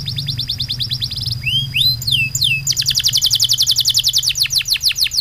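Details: Canary delivering loud song with rapid 'tembakan' fill: fast high trills, a few sweeping falling whistles, then dense rapid trilling, over a faint low steady hum.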